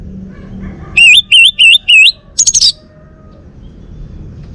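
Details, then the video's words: Caged male orange-headed thrush from Bali singing four loud wavering, wave-shaped whistles in a row, followed by a quick, higher stuttering trill, then falling silent against a faint low rumble. "Kicau Burung ANIS MERAH Bali Jantan"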